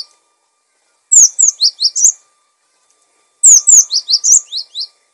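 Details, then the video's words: Gacor gelatik batu, the cinereous tit, for training and luring other birds: two long phrases, each opening with sharp falling whistles and running into a series of lower zigzag notes, about two seconds apart. "Gelatik Batu Gacor! Untuk masteran dan pancingan Burung"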